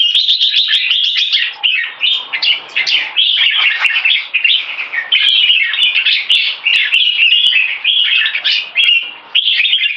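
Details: A pair of high-performance caged red-whiskered bulbuls, one in molt, competing in song: a torrent of fast chirps and bright warbled phrases, brief gaps between bursts, loud and unbroken over ten seconds, with faint clicking.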